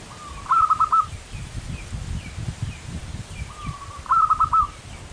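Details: Local perkutut singing energetically in manggung style: two identical phrases about three and a half seconds apart, each a drawn-out soft opening note followed by four quick rolling coos. Faint chirps and low rumble persist throughout.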